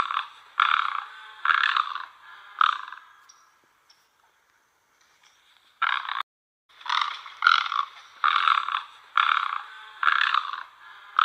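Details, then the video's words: Great egret, or white heron, uttering rasping croaks in two bouts: four quick bursts, a pause of about three seconds, then six more harsh squawks under a second apart. "White heron call | Great egret"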